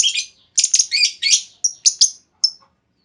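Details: Lure call of a female lovebird, used to prompt other lovebirds into long trilling: a rapid run of harsh, grating chirps, several clustered together, then thinner, sharper single notes tailing off.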